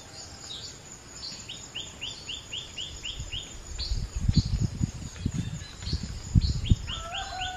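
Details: A brown-throated wattle-eye, while grooming itself, gives a quick series of high, thin, down-slurred notes, several per second, over low thumping noise and a faint lower whistle near the end.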